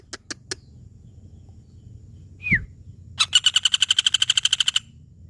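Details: Pelatuk bawang (woodpecker) calling: three short sharp clicks, then a single descending note, then a rapid dry rattle of about twenty evenly spaced high notes lasting roughly one and a half seconds; quiet low background hum.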